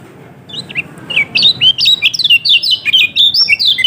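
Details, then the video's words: Lure song of a yellow-throated white-eye to coax a lazy bird to sing: after a quiet opening, a fast, continuous run of high, sweet whistled notes bending up and down. "Pancingan Kecial Kuning Males Bunyi Agar Cepat Buka Paruh"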